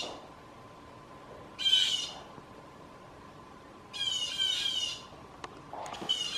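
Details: Harsh jay screams from blue jays in a backyard, false alarms used to startle gray squirrels and draw people out with peanuts; three rasping bursts spaced over several seconds, the middle one longest, with a faint click.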